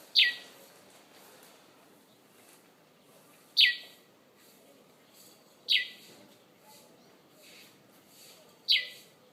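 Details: Bird waking a sleeper each morning outside a bedroom window in Conakry: four loud, sharp chirps sliding downward, spaced irregularly two to three seconds apart, with faint clicks between.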